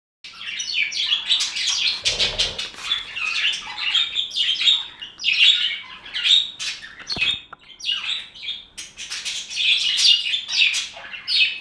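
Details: Budgerigar flock chattering nonstop: dense overlapping high warbles, squeaky chirps and twittering notes, with a short low thud around two seconds in and a brief dip in the noise near seven seconds.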